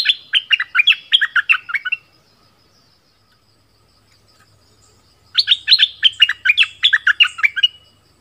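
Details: Two long runs of rapid, jerky, gurgled chirps from a caged southern Thai decoy bulbul, separated by about three seconds of quiet.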